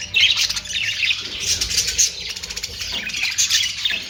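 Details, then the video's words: Budgerigars chattering in a group: loud, scratchy squawks and twittering chirps run together without a break, sharper bursts near the start and middle. "Austrailian perrot sound"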